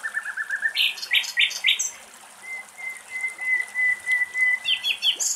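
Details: Common nightingale singing in Greek nature, recorded at very close range: a run of quick repeated low notes, a few loud rising chirps, then a long steady pure whistle, ending in fast high trilled notes.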